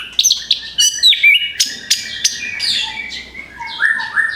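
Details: Used to draw in other birds, orange-headed thrush song here mixes sharp downward-slurred notes, buzzy high phrases and a few short lower whistles, delivered in quick succession.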